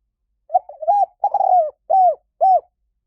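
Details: Coo phrase of a spotted dove used as a lure for wild doves: a brief low note, a hesitant broken coo, a long vibrating purr, then two evenly spaced arched coos about half a second apart.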